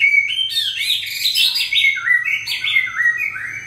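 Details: White-rumped shama in peak breeding form, 2020 season, singing a rich, fast run of varied whistled and warbled notes that step up and down in pitch, phrases blending one into the next without pause.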